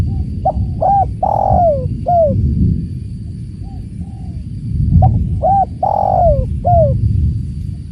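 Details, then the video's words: Tekukur, or spotted dove, giving two cooing phrases of short notes and a long falling coo, over a constant low rushing background. "Slow living starts here… with tekukur and the sound of water"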